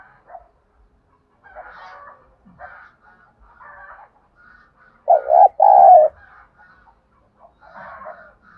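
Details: Spotted dove 'thúc gù' lure call for rousing decoy birds: one loud hollow double coo near the middle, surrounded by faint scattered chirps and murmuring sounds.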